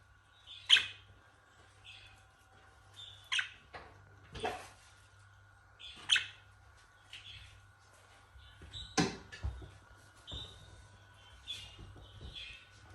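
Budgerigars give scattered bright chirps and sharp clicks over a steady electrical hum.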